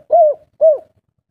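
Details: Spotted dove, local kuk 3 singer, giving two soft, hollow coos that dip downward at the end, about half a second apart, with no other sounds.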